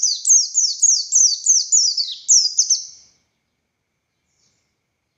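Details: Oriental white-eye of the buxtoni race in full, energetic "gacor konslet ngalas" song: a rapid, very high run of about nine sharp descending chirps over three seconds, then silence.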